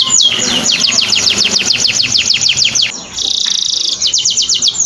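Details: Training recording of a singing canary: a fast series of steeply descending whistled sweeps for about three seconds, then a dense, high buzzing trill with a brief pause.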